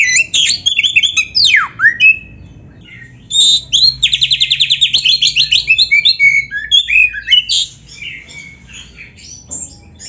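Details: Oriental magpie-robin (kacer) singing loudly in a full, varied style, used as a master training recording. It opens with sharp whistles and a steep descending swoop, runs into a fast rattling trill, and ends with scattered squeaky, chattering notes.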